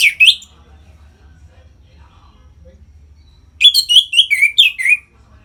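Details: Captive orange-headed thrush singing in the loud 'ngeplong' style meant to rouse other birds to breed. A short whistled burst opens, then after a long pause comes a rapid string of six or seven sliding, descending whistled notes.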